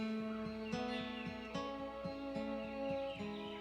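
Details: Only plucked acoustic guitar music is heard, with no animal voice.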